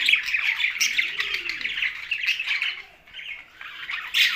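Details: Budgerigars living with a parrot in Larkana, Sindh: bright rapid chirps and chattering warbles, easing off briefly near the end before a loud chirp burst, with one low cooing note behind.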